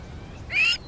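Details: A crowned lapwing (crowned plover) gives an alarm call at a jackal near its egg, warning nearby bat-eared fox cubs: a single shrill, harsh, fairly high note about a quarter-second long over faint background hiss.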